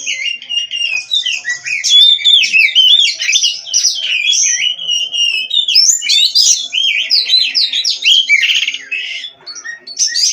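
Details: Continuous song of an Oriental magpie-robin (kacer) from a breeding farm: tumbling sequences of high whistled phrases mixed with scratchy, buzzing notes, varied and rapid throughout.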